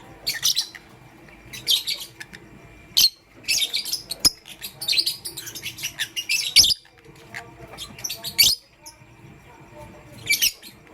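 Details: Pet lovebirds, pastel gray and green, chirping in the morning: bursts of rapid, shrill, scratchy high chirps come in quick succession with brief pauses, filling most of the recording.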